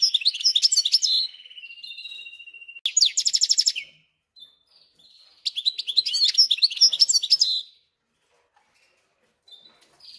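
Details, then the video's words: Goldfinch-canary hybrid singing in its cage, recently arrived and adapted; twittering phrases, a long steady high whistled note, then fast rattling trills, with quiet gaps between bursts. "смотрим слушаем как поет гибрид"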